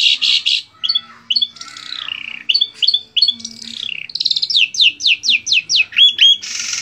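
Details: Long-tailed shrike, a songbird trained for contests that mimics other birds such as sparrows, canaries and lovebirds, singing a hurried medley: harsh scratchy bursts and short whistled notes, then about six buzzy downslurred sweeps.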